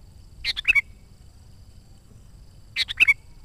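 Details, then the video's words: Actively singing sooty-headed bulbul, played to lure wild bulbuls: two short liquid phrases of a few rapid notes each, roughly two and a half seconds apart, over faint hum. "SUARA BURUNG KUTILANG GACOR"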